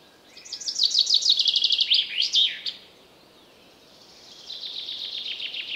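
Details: Chaffinch song in a forest: a rapid, descending rattle of bright notes ending in a brief emphatic flourish, followed after a pause by a fainter, more distant chaffinch trilling in reply.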